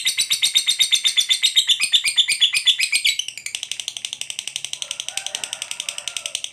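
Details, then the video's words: Lovebird giving a long chattering ngekek song meant to make other lovebirds answer; a dense, rapid, regular stream of harsh high notes, about four per second, shifting to a thinner faster chatter after three seconds. "Suara burung lovebird ngekek panjang"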